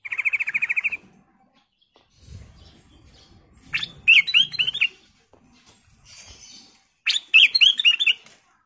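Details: Sooty-headed bulbul in vigorous song: a buzzy rattling trill first, then two bubbly phrases of liquid, looping whistled notes a few seconds apart, with faint low rustling between.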